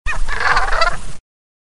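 A Brant goose gives a harsh, rolling, throaty burst just over a second long, rapid and gurgling, over a low background rumble.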